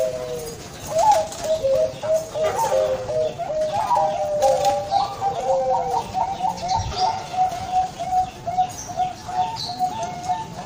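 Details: Bangkok-type zebra dove, prized for a thick, pleasant voice, giving a steady run of soft rolling coos, rapid pulsed notes strung together for the full length, with a faint wing flutter and background hiss.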